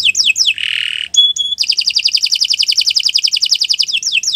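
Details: Canary singing a long training song for other birds: quick descending slurred notes, a harsh buzzy phrase, two pure whistles, then a fast rolling trill of about forty notes.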